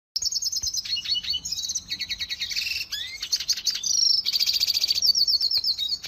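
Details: A red siskin (Spinus cucullatus), kept at a canary breeder's, sings a fast, high, continuous twitter of buzzy trills and sharp chips, with quick shifts between phrases and no pause.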